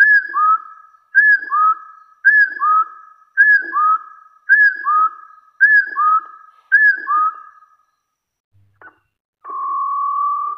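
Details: Wild hill partridge calling to challenge rivals, with clear two-part whistles, a bright curved note dropping into a sustained lower tone, repeated roughly every second, then a pause and one long steady whistle at the end.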